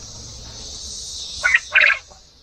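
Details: A male quail in a homestead quail pen, as the roosters have started crowing, gives a short crow: two quick, harsh, mid-pitched bursts less than half a second apart, over a steady high hiss.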